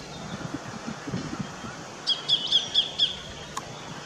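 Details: A Sacred kingfisher in an Australian backyard gives a quick series of five sharp, high 'kek' notes, about four per second, over a low background rumble.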